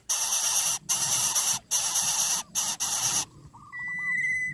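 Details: Three greedy Greater coucal chicks in the nest, overwhelming and angering their parent: loud, harsh hissing bursts, about five in three seconds, then a thin steady whistle and faint chirps.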